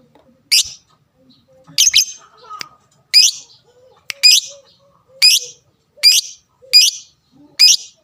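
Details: Caged lovebird giving its fighter sound, meant to provoke rivals into calling: sharp, shrill chirps repeated about every second, each a quick buzzy sweep, with faint soft background noises between them.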